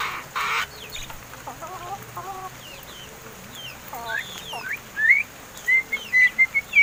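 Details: Home-kept seven-month-old mynas, said to have learned to talk, give a short burst of noise, soft trilled notes, then clear rising whistles and a long steady whistle broken into loud repeated pulses.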